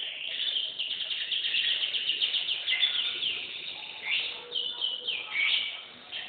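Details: Canary's song opens with quick high trills, then shifts to louder, separate swooping whistled notes toward the end.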